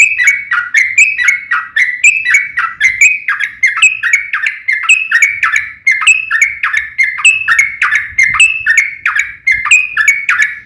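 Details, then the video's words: Yellow-vented bulbul in vigorous fighting song with long rapid phrases, used as a lure to make other bulbuls answer. Dense, bubbly chatter of liquid, slurred notes pours out almost without pause for the whole stretch. "KICAU SUARA trucukan gacor TARUNG ROPEL PANJANG"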